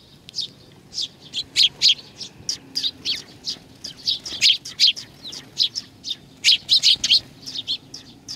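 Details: Sparrows that come to be fed, recorded 21 June 2020 at a Tenmangu shrine, Nakanoshima, Japan, keep up a busy stream of bright tweets, roughly two or three a second, uneven in spacing and loudness.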